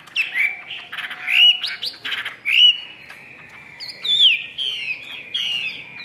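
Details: Caged Chinese hwamei in Vietnam, a 'ngũ trường' singer that fans its whole tail, gives loud, spaced whistled phrases with rough buzzy notes between them, and later a wavering high whistle followed by softer trailing notes.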